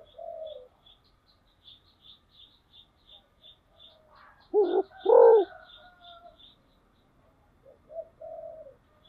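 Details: Decoy spotted dove: a steady high ticking chirp repeats in the background while the dove gives a soft note, then two loud, deep coos midway, followed by quieter murmured notes.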